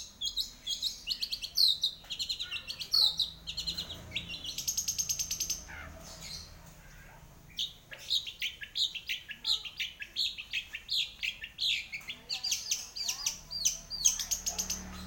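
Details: Long-tailed shrike in energetic song, long stretches of rapid chattering and scratchy high notes with trills and slurred phrases, pausing briefly midway before resuming.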